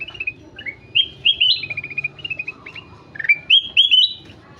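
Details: Golden-fronted leafbird pouring out a fast, varied song of whistled slurs and rapid trilled note strings, about four notes a second, with brief gaps between phrases.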